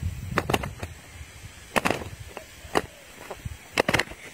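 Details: Scattered sharp clicks and knocks over quiet outdoor background noise, with no dove cooing or other animal voice heard.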